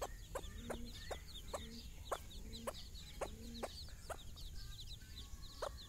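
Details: A hen tending her own chicks outdoors for the first time, clucking in short even beats to call them along while many chicks cheep in high, rising notes throughout.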